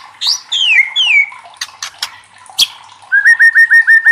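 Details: White-rumped shama singing loudly as a challenge to spur other shamas to sing: sweeping downslurred whistles, a few sharp clicks, then a fast series of six evenly repeated whistled notes.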